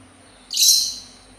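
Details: A single harsh, hissing, high-pitched burst from a sultan tit, fading out over half a second in a quiet setting.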